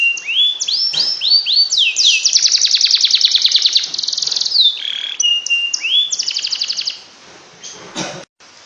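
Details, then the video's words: Canary tutor song to get lazy canaries singing: rising whistled notes give way to a long, rapid, rattling trill, then varied whistles and another fast trill before fading. "Kenari yang malas bunyi pasti ngekek dengar kicau spesial ini"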